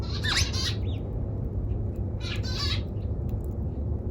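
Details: Eurasian tree sparrow with a sharp, bending chirp at the start, then a pair of rough, buzzy chirps a couple of seconds later, over continuous low rumbling noise.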